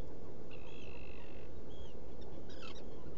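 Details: Black guillemot calling inside a nesting burrow on Seal Island NWR, Maine, early morning, 14 June 2018, captured by a burrow camera: a long, steady, high whistle, then shorter arched whistles and a brief cluster of notes, over a constant low roar.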